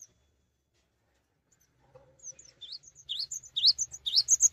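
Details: A cinereous tit in full song without hopping, said to get other tits singing too; after a near-silent start, faint notes swell from the second second into a fast series of loud, high, twisting chirps.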